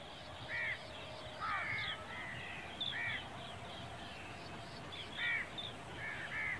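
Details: Black francolin calling: harsh, raspy, arched notes in short grating bursts, spaced roughly one to two seconds apart, with fainter high chirps from other birds and a low steady rumble underneath.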